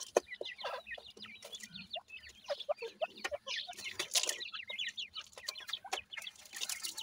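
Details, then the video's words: Dense chorus of thin, falling peeps from feeding grey francolin chicks, nearly continuous, with many sharp clicks and taps among them. "Teetar ki Bache,dakni Teetar Chicks Feeding"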